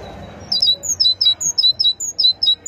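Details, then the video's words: Great tit singing: a brisk series of high two-note phrases, a sharp upper note dropping to a lower one, repeated about ten times with short gaps over a faint low background hum. "أجمل وأعذب تغريد لطائر الحداد (القرقف الكبير )chant messange charbonnier"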